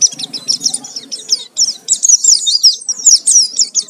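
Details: Oriental white-eye in full, busy song used as a lure to provoke other birds to sing: dense, rapid high chirps and twittering trills, continuous with brief gaps, faint low murmur beneath.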